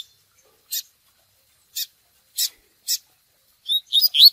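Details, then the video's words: Double-collared seedeater in fiery "tui tui" song for training: four short, high, scratchy chips at uneven intervals, followed by a fast string of thin whistled and warbled notes that grows louder. "COLEIRO TUI TUI FOGOSO MUITO BOM PARA O MANEJO"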